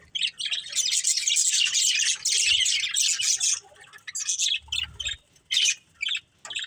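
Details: Chirping budgerigars, a breeding pair: a long burst of dense high chatter, then shorter clipped chirps spaced apart toward the end.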